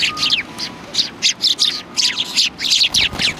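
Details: Sparrows gathered on a bench at a Tenmangū shrine, 21 January 2020. Rapid overlapping chirps and tweets come almost nonstop, several birds calling at once, with a faint thin tone beneath.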